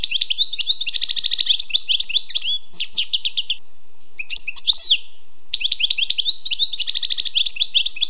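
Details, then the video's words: Wild European goldfinch singing: rapid tinkling twitters and buzzy trills in dense bursts, a brief pause near the middle, then fast chattering phrases resume to the end. "Écoutez et appréciez le doux chant du chardonneret sauvage"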